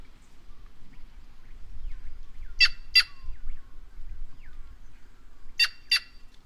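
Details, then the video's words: White-naped jay giving two quick pairs of harsh, grating calls about three seconds apart, with faint thin notes and a soft low hum between them. "Canto da Gralha Cancã Cyanocorax Cyanopogon"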